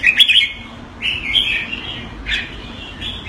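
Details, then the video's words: Singapore-kept Red-whiskered Bulbul calling keke on command: a brief chirpy flourish followed by softer drawn-out squeaky notes and a single sharp call near the end. "Jambul - สิงคโปร์เลี้ยง นกหัวจุก Mickey (keke on command) (Singapore)"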